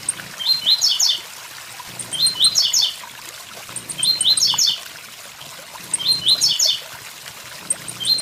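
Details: Blue-black grassquit (tiziu) singing near a waterfall, its song written as tui tui zel zel: compact buzzy bursts of stacked zigzag notes about every two seconds, soft high ticks between, continuous falling-water hiss underneath.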